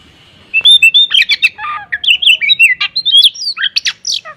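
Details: Oriental magpie-robin singing hard in the morning with 'tembakan kapas' fill-ins; after a half-second lull, a rapid burst of clear whistled slurs and scratchy chirps follows, closing on bright rising notes.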